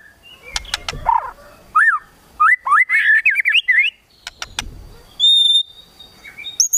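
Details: White-rumped shama singing in the kretekan tembakan style, meant to provoke a rival's emotion: a burst of quick rising and falling whistled notes mid-clip, with sharp clicks and knocks before and after.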